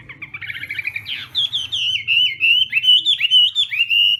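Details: Hwamei in contest-style morning voice training: a soft, quick trill jumps into a sharp descending slur, then a loud, fluid warble of twisting whistled notes runs continuously.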